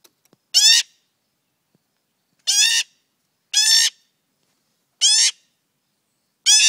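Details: A friendly magpie fledgling that stays near people, seeking attention; very loud, harsh, buzzy squawks repeat roughly every one to two seconds, five rasping cries in a row against silence.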